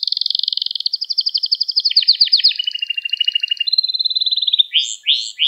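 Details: Canary lesson song for schooling young birds: a long, fast, buzzy pulsed roll that steps down in pitch, then a smooth whistled glide and a few loud swooping notes.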